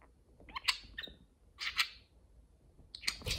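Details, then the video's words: Two pet parakeets conversing and playing indoors, one dominating the exchange; short bursts of bright, buzzy chirps and chattering notes in three clusters, with quiet pauses between and a soft rustle at the end. "Parakeet Pillow Talk: two parakeets converse and play"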